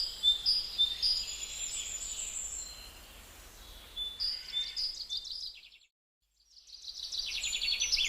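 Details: Gouldian finch, a colourful finch of northern Australia. High-pitched chirping and buzzy trills come in rapid uneven bursts, with one brief pause of silence before the notes resume, against faint background hum.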